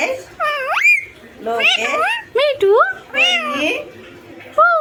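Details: Talking parrot kept as a pet copying human voices: several clipped, speech-like syllables with sharp rising and falling pitch sweeps, delivered in quick irregular bursts with short silences.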